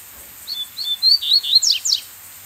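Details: A wild female Double-collared Seedeater sings from a perch at a bamboo-thicket edge of dense forest. It gives a whistled song, a quick string of high notes, some level and some sharply falling, over about one and a half seconds.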